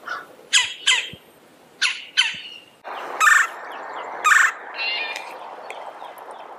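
Red-bellied woodpecker giving harsh, rolling churr calls, about one a second in short bursts, over a steady background hiss.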